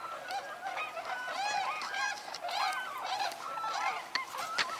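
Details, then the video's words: Flock of wild tundra swans, some showing a yellow spot below the eye, vocalizing together: overlapping soft, hooting, bugle-like notes with arched tones rise and fall continuously, many birds calling at once, over steady low background noise. "tundra swans here vocalizing. This is probably"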